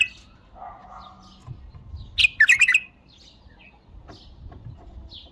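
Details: A single bright, gurgling bulbul phrase of quick chirped notes around 2.2–2.8 s, with a low murmur before it and soft scattered bird twitters in the background.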